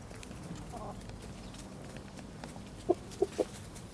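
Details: Village chickens in a countryside setting: after a stretch of low rural background noise, three abrupt clucks sound near the end, spaced about a quarter second apart.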